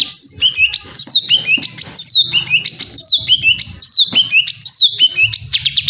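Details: Greater green leafbird repeating loud, sharply descending whistles, more than one per second, each followed by short rising flicks, over a steady low background hum.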